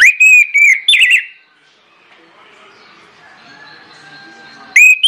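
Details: Insistent orange-headed thrush lure song for triggering other birds: pure, level whistles and a buzzy trill at the start, a lull filled with faint background birds, then another clear whistle at the end.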